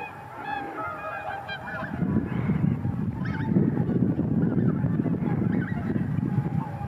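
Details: Cackling geese flying off as a flock: a burst of shrill honks at the start, then a swelling low roar of wings with scattered yelps above it.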